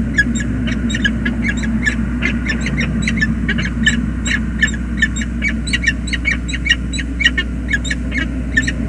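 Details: Two peregrine falcons meet affectionately at their nest on the James River Bridge, USA, 20 February 2022. The female arrives to the male already there. Dense, fast runs of grating chattering calls ride over a constant low hum.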